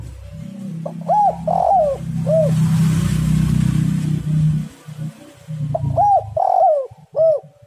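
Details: Spotted dove cooing, played as a lure to make other doves sing: loud arched, slurred coos in two bursts separated by a pause, over a heavy low rumbling like vehicle noise.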